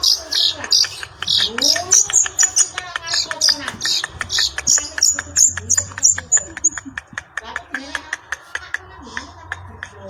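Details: Long-tailed shrike singing actively, a loud bird in full song. High, sharp, squeaky notes come in quick runs at first, then give way to dry clicking pulses repeated about three times a second. Low sweeping sounds hum underneath.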